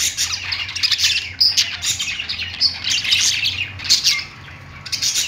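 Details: Budgerigars singing on their perch, a chorus of fast chirps and rasping notes with occasional piercing whistled squeaks, quieter stretch after four seconds, low hum present.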